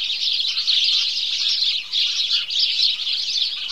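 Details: Dawn gathering of house sparrows producing a thick, bright cheeping racket, with many birds overlapping and short louder bursts breaking through the steady twitter.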